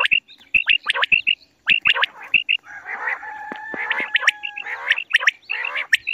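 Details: Quail calling in the morning: short, bright clipped notes in quick pairs and triplets over the first half, then a rougher, harsher chattering stretch with a few steady tones underneath.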